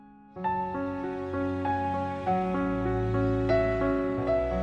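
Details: Gentle new-age music with sustained keyboard tones and soft repeated notes, with no animal calls.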